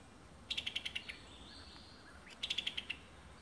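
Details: Summer tanager in Alabama giving two quick bursts of about seven crisp, evenly spaced clicking notes. The notes fall slightly in pitch, and the bursts are about two seconds apart.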